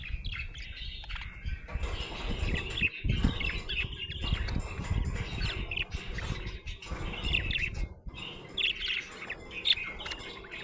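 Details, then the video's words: Cheerful budgie chatter: intermittent high chirps and warbled notes above a heavy, rumbling low background with occasional knocks. "Happy budgie chirping sound"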